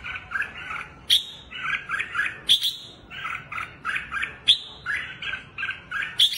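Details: Red-whiskered bulbul singing while hopping on its perch and spreading its wings: short, rich warbled phrases recur about every half second, with bright, sharp high notes inserted between them.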